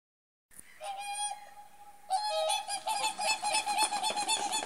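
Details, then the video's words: Whooper swan flock in Finland flying off a lake: one long, clear trumpeting note, then the whole flock bursts into overlapping honking bugles, several each second. "swans flying off"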